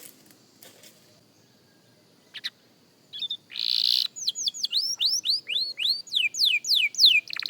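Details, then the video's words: Young canary practising song: a nearly quiet opening with faint clicks and a short noisy burst, then a steady sequence of loud rising and falling whistled notes, about three per second. "Young Canary Singing Practice – Surprisingly Good for a Beginner!"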